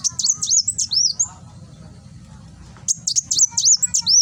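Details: Nembak-style song of a kolibri wulung (Van Hasselt's sunbird), Gresik, East Java, for training cage birds: fast strings of high, metallic down-slurred whistles, a pause with faint lower notes, then another lively burst.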